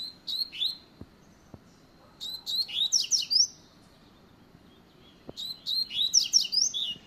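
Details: Double-collared seedeater delivering a fast song: quick high phrases of sharp chirps and downslurred notes, about two seconds long, with pauses between them. A faint low hum and a few clicks sit underneath.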